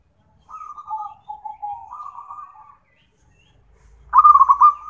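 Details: Zebra dove of a local type singing, used as a tutor recording for training other birds and for therapy: a soft, wavering, purring coo phrase, then a pause and a louder rolling trilled coo starting afresh, with faint low rumble.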